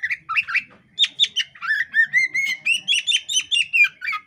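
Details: Breeding-condition female kacer poci magpie-robin doing ngobra with spread tail: harsh chattering notes first, then a run of quick repeated whistled chirps over a steady rising tone, with a faint low rumble behind.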